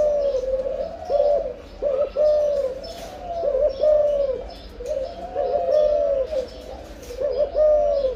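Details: Breeding spotted dove cooing: low, soft hooting phrases with a quick stuttered opening and a long drawn-out note, repeated about every two seconds.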